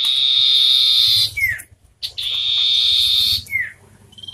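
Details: Common iora, wild and hand-raised birds competing in song: two long loud buzzy high notes, each closing with a quick downward slurred whistle, then a brief short whistle at the end.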